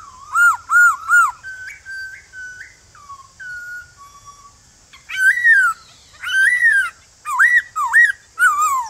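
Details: Morning forest song from a male white-cheeked laughingthrush calling newly caught birds. Three quick arched whistles, then a descending series of soft level notes, then loud ringing swoops roughly every second to the end, over a constant high hiss.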